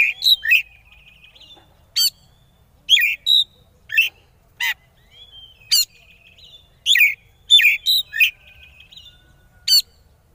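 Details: Oriental magpie-robin song played as a lure to provoke rival birds into singing: bursts of sharp, bright whistled and chattering notes roughly every second, with thin level whistles between them, over a quiet background.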